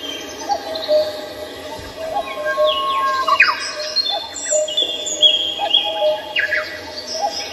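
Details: Several birds singing together at Samcheong Park in Seoul: overlapping clear whistled notes, short falling slurs and rising sweeps, with thin high phrases above a steady low whistled tone throughout.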